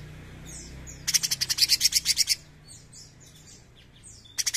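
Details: Bulbul (cucak cungkok) in 'gacor nembak' style: one dense burst of about twelve rapid, harsh, buzzy high pulses lasting over a second, then faint thin downslurred whistles and a short second burst at the end.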